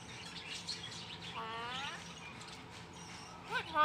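A hill myna gives a rich, nasal, voice-like note that swells and falls over half a second, then a brief sharp squawk near the end, over faint background noise.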